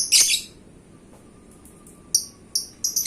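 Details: Champion pet lovebird, paskun and gacor, gives a loud harsh high squawk, then after a pause several short thin high chirps close together.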